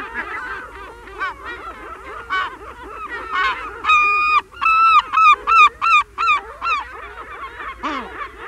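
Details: Herring gull calling in a busy colony, recorded close: first a jumble of many overlapping gull cries, then a clear series of about ten loud, clipped yelping notes in quick succession, ending with a lower falling squawk.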